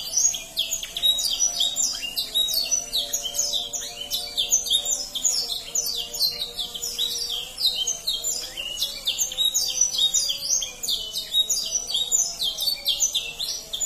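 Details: Rich canary song used as a lure for young canaries, a long, dense stream of high twitters, slurred downward notes and rolling trills, loud and continuous, with a faint low wavering tone underneath.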